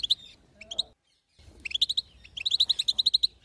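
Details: Female European goldfinch chatter, known locally as batbata, used to make the male sing: a short burst of bright, high chirps, a brief silence, then a quick run of about a dozen sharp metallic notes in close succession.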